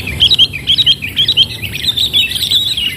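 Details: Sooty-headed bulbul (kutilang) heard while being trapped with a decoy bird; clear, rapid series of bright chirping, whistled notes, roughly two per second, merging into a continuous chatter, faint low hum beneath.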